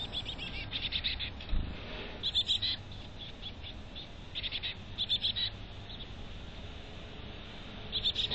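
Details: Chickadee calling at a nest box in North Vancouver: short clusters of high, thin chittering notes repeated every second or two over a steady low background hum.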